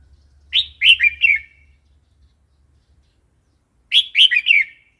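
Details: Red-whiskered bulbul singing wild-style song for training young and wild-caught birds: a bubbly four-note whistled phrase, then silence, then a nearly identical phrase, faint low hum beneath.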